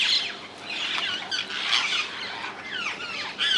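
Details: Wild rose-ringed parakeets in the Netherlands give scratchy squawks mixed with shorter whistled chirps and sliding notes, from several birds calling together.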